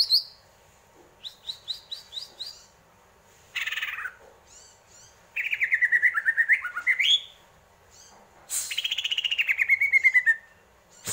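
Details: Greater green leafbird singing a varied song: clipped repeated chirps, then rapid buzzy trills and slurred descending whistles in bursts, with short pauses between phrases.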